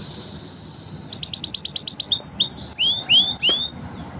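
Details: One of five singing canaries, Belgian canary: song in fast, bright phrases, a rapid high trill of repeated notes, then a run of rising slurred whistles.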